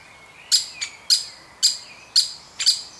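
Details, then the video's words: Young woodpecker being fed, one of a woodpecker family: five shrill, harsh high chirps spaced roughly half a second apart, with a soft whistled note faintly behind them. "Baby Woodpecker Being Fed"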